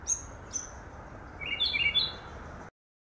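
A Cape robin-chat gives two thin, high whistles, then a quick, slurred phrase of lower warbling notes over a soft background hiss.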